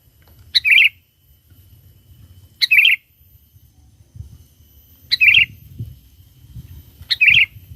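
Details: Sooty-headed bulbul in full, lively song, used as a lure to call in wild bulbuls: four short bubbly, chirpy phrases, each a sharp note dropping into a warbled twitter, repeated roughly every two seconds over faint low rumble.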